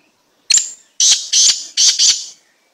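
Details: Close, loud call of a black francolin said to be of an odd slate-black type: a sharp initial click-like note, a pause, then four grating, buzzy bursts in two pairs, ending abruptly.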